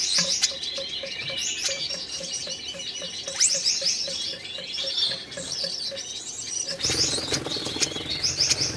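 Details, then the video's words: Courtship between red-headed Gouldian finches kept for breeding: a long, thin, buzzing high warble with sharp clicks, steady soft ticks about twice a second, then a burst of broadband rustling before the buzzy phrases return. "Red-headed Gouldian Finch courtship"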